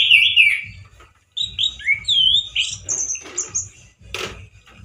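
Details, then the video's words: A male orange-headed thrush gives a loud, rough song with limited variety: a wavering whistled opening, then varied slurred and buzzy high notes, over soft low knocking sounds and a brief noisy burst. "ANIS MERAH GACOR SUARA KERAS DAN KASAR SEPERTI DI ALAM LIAR-ANIS MERAH JANTAN GACOR TELER"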